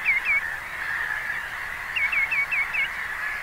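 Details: Common greenshank calling: short, clear, down-slurred whistled notes, two near the start, then a quick run of five. They sound over a steady high hiss or chorus of distant birds.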